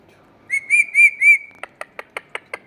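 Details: Indian ringneck parakeets, a pair kept in a garden: four clear ringing whistled notes on one pitch, then a fast series of six sharp harsh clicks about every fifth of a second.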